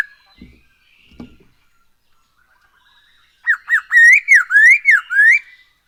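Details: Black-throated laughingthrush song used as a lure to set birds singing: two soft clicks, a pause, then a fast run of about seven looping rising-and-falling whistled notes, loud and clear.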